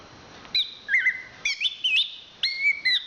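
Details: A national champion Chestnut-capped thrush gives clear, sustained whistled phrases, each a steady tone with a quick slur or kink, in short bursts separated by brief silences. Background is quiet.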